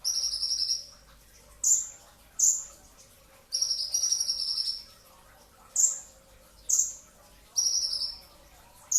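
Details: Pre-dawn training recording of a brown-throated sunbird delivering dense song: high buzzy trilled phrases alternating with sharp, shrill downslurred whistles, repeated back-to-back in a quiet setting.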